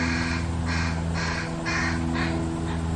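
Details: A Fish crow family with its only fledgling at feeding time gives a quick run of six short nasal calls, roughly two per second, against a constant low droning hum.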